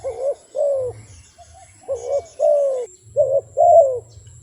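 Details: Wild dove cooing: short hollow coos in pairs and triplets, each slightly rising then falling, with a gap of near silence mid-clip and a faint low hum underneath.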